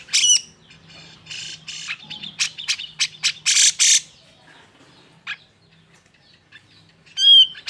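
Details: Agitated song of a grey-cheeked bulbul used as a lure to make silent bulbuls sing: harsh squawking bursts and rasps early on, a lull, then a loud slurred whistle at the end.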